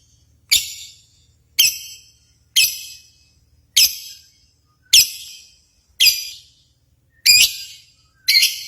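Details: Lovebird contest sounds played to stir pet lovebirds: sharp, shrill chirps with a raspy edge, given singly about once a second, each fading quickly, with short quiet gaps between.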